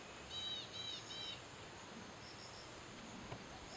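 Common hawk-cuckoo giving three quick, high, slurred whistled notes in a row, faint against a steady high insect hum and soft background noise.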